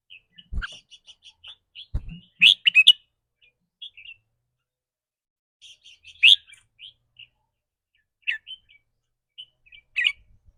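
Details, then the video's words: Caged red-whiskered bulbul in a burst of 'rik' trilling that varies with its mood: quick runs of chirpy whistled notes, loud clusters about every four seconds, and a couple of low knocks near the start. "ริ๊กรัวๆ คือเรื่องปกติ"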